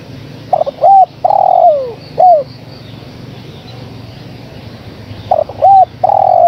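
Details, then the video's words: Female spotted dove calling the male, two phrases: short stammering coos, a long coo dropping in pitch, then a single arched note. A quiet pause separates them over a faint low hum. "Suara Tekukur Betina Gacor Memanggil Sang Jantan"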